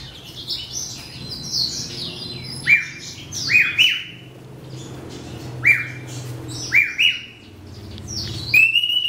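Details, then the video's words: A hybrid of a male grey singing finch and a female black-throated canary, in breeding season, sings a high, sweet song of twittering notes and brief upslurred phrases, repeated every second or so, over faint room hum. "Hybrid Grey Singer X Black Throat"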